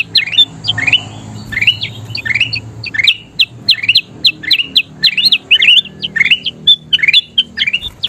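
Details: Lively song of a golden kutilang bulbul, used as training song for caged songbirds. Sharp, sweeping high chirps come in dense clusters with brief gaps and a low background rumble.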